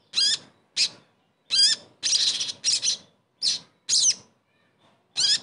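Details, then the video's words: Sogon call used as therapy to revive a bird that no longer sings: separate loud, high, wavering notes, some falling in pitch, repeated about every half second with short gaps. "TERAPI SOGON MACET langsung GACOR"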